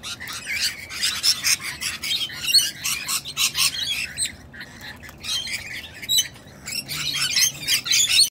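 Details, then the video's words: Jealous wild female sulphur-crested cockatoo guarding her mate while a person pays him attention: a long series of harsh, grating squawks in rapid bursts, roughly two per second, with a brief lull midway before the raucous screeching resumes. "Jealous Wild Cockatoo DEFENDS BOYFRIEND!!!"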